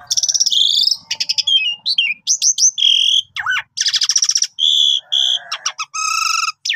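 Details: Energetic Javan pied starling song used to lure birds for trapping, packed with rattling trills, harsh buzzes, slurred whistles dipping low, and clear repeated high notes.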